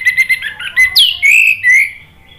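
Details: Orange-headed thrush lure song for getting a stuck bird to answer: a quick string of short notes, then a sharp high slur into two long, level whistles.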